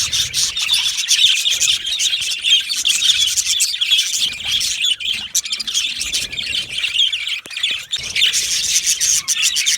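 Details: Continuous twittering of yellow male budgerigars kept in an aviary, many birds chirping and warbling at once in high, scratchy notes, dipping briefly before swelling again.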